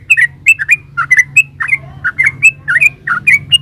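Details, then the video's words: Continuous bubbly chattering by a yellow-vented bulbul, rapid liquid notes wavering up and down in an unbroken gacor ropel string, with faint steady hum underneath. "Suara burung trucukan GACOR ropel uplik"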